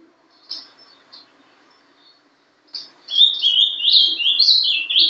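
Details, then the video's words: Young ringed ultramarine grosbeak (Passerina brissonii) in captivity giving its 'sobe e desce' Paraná song: a few isolated chirps, a pause, then a rapid bright warble of rising and falling notes to the end. "Azulão Sobe e Desce.(Bizulão) Filhote de alta genética. Canto Paraná."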